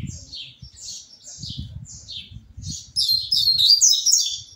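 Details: Perch-changing caged Double-collared Seedeater gives a series of high downslurred chirps, evenly repeated, then an intense, jangling, buzzy burst of song; light tapping of movement sounds underneath.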